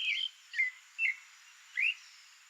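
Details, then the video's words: Creamy-bellied thrush (Turdus amaurochalinus, sabiá-poca, bone-billed thrush), a Brazilian songbird in its natural habitat, gives four short, clear whistled phrases about half a second apart, some slurred and rising, over a faint steady hiss. "SOUNDS of CREAMY-BELLIED THRUSH (TURDUS AMAUROCHALINUS, SABIÁ-POCA, Bone-billed thrush, Songbird."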